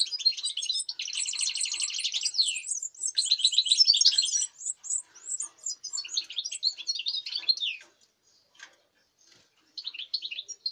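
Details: European goldfinch song, 05.08.2019: opens with a rapid buzzy rattle-like trill, followed by tinkling high twitters that fade into a pause before a final short burst.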